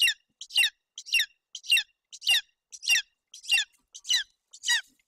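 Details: Golden eagle chick begging at its nest in Bucovina, Romania, in June 2021, hungry while its mother feeds it roe deer fawn: shrill, wavering cries falling in pitch, given in a quick, even series almost twice a second.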